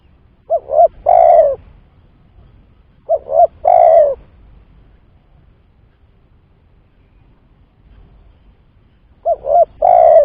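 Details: Lure call of a spotted dove for trapping, three repeated phrases of two short notes and one sustained mellow coo, spaced about three seconds and then five seconds apart.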